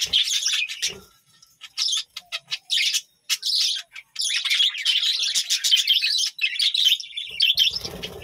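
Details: Budgerigars in a village home colony twitter in choppy bursts that merge into a long, unbroken stretch of high, warbling chatter, with faint rustles at the end.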